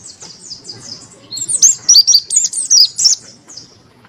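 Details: Open-beaked white-eye of the Monty sort with a crystal voice used to tutor and spur idle birds. Soft high notes swell into a fast, loud series of sharp, bright chirps before tapering off.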